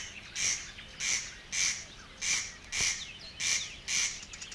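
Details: A barred warbler in the water-meadows and coastal pastures of Matsalu, Estonia, in a 1979 field recording sings harsh, scratchy chattering notes, seven short rasping bursts about twice a second, over faint hiss.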